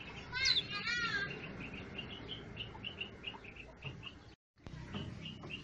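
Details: Birds singing from shrubs and trees at the back of a garden: a rich, warbling phrase opens, then short high chirps repeat steadily at a quick pace, with a brief silent gap near the end.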